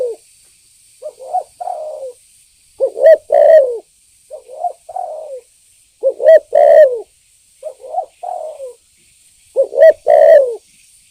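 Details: Spotted dove call used as a lure to provoke birds; loud coo phrases repeated about every three seconds, each a short note, a strong accented coo and a falling tail, alternating with softer phrases.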